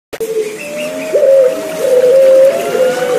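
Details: Puter Pelung turtle dove song, mixed with trickling water and used as therapy so silent caged birds sing again; long, steady, low hooting coos with small upward steps, several voices overlapping, running throughout.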